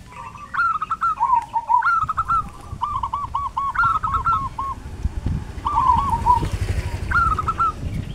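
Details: A zebra dove (Geopelia striata) in a quiet village in Prembun, Kebumen, Central Java gives several soft, rhythmic cooing phrases of quick, rippling staccato notes, pausing before each new phrase, over a low background rumble.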